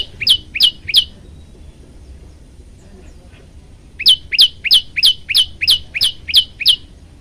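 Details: Olive-backed tailorbird song, a training recording with variations: three sharp, high chirped notes in quick succession, a pause of about three seconds, then nine rapid, evenly spaced piercing notes, all over quiet low background rumble.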